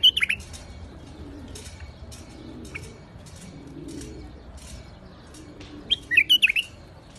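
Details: Two brief, cheerful warbling phrases from a white-eared bulbul (Iraqi bulbul) in rooftop gardens, one at the start and one about six seconds later, each several rapid fluty notes over soft background noise.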